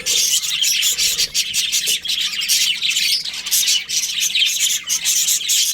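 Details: Many budgerigars chattering during breeding season, a loud, unbroken tangle of shrill chirps and warbles that swells and dips slightly throughout.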